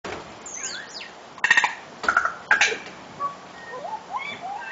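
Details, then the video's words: Tui singing a complex song: liquid whistled slides and sweeps mixed with bursts of buzzy, clicking, stacked notes around the middle, then softer scattered whistles; quiet outdoor background. "Tui Bird Singing...Crazy Complicated Song!!!!"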